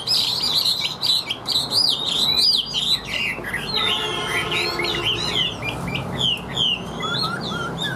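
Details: Caged Chinese hwamei delivering a loud, even 'điện đóm' song. Varied whistled phrases rise and fall, with a buzzy, rattling passage in the middle and thin high notes at the end.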